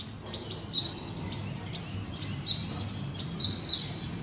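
Ashy prinia giving brief, high, upward-sweeping chirps, spaced irregularly, over a steady high hiss and a low rumbling background.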